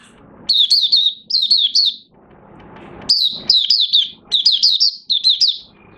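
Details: Oriental white-eye starting its song, recorded 30 August 2022 with new white feathers almost fully coloured; clusters of high, bright twittering notes, a short quiet gap, then a longer rapid run of chirps.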